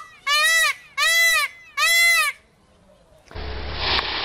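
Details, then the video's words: Peafowl, from a compilation of chick calls, male calls and feather shaking; three loud, rich, nasal wailing calls about half a second each, spaced evenly, followed by a burst of broad rushing noise. "Peacock Sounds - Noises"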